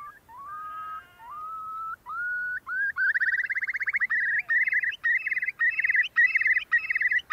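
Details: Eurasian curlew in spring on breeding meadows and moors, its musical, happy-yet-sad sound interweaving major and minor keys. Several slow upslurred whistles quicken into a loud, bubbling trill of rapid pulsing notes that continues to the end.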